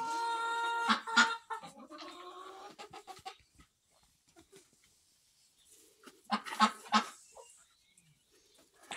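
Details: Barn flock of hens and roosters of various breeds, recorded September 10, 2023; a long tonal squawk with strong harmonics and sharp clucks, a near-silent stretch, then another burst of loud clucking.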